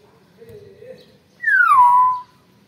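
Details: Young Nias hill myna kept as a pet in Indonesia: a soft low wavering note first, then a loud ringing whistle that slides down and levels off, nearly a second long.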